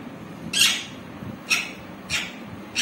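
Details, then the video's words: Green parrot talking: four brief, sharp, scratchy bursts, roughly every half to one second, loudest at the start, over a quiet indoor background. "parrot talking"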